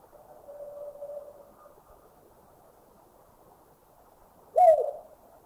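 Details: Collared Scops Owl (Otus lettia), recorded in a Thai national park (Khao Yai, Doi Inthanon, Doi Suthep-Pui or Chae Son), giving a soft, low, even hoot, then a few seconds later a brief, louder, slightly falling note against a quiet background.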